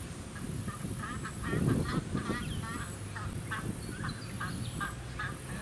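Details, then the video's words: Pacific black duck calling on a small artificial lake in Queensland's Sunshine Coast in December: rapid series of short nasal quacks amid gusting wind and suburban background sound. "Pacific Black Duck"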